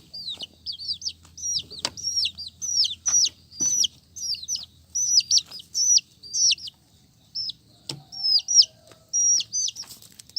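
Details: Brightly coloured chicks give steady, shrill descending peeps, closely repeated over ten seconds, with a few knocks and a soft low hum in the background.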